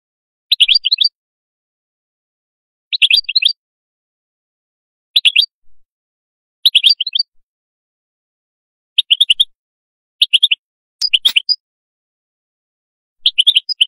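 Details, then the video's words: Atlantic canary singing in the qadous style: short bright chirping bursts high in pitch, each under a second, repeated roughly every two seconds with silent gaps between. "تغريد القادوس"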